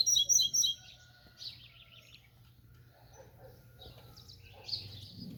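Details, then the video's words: Double-collared seedeater singing in the 'tui tui' style: an opening run of loud, high, rapid trilled notes, then softer scattered twittering phrases over a faint low hum. "Papa capim tui tui cantando muito"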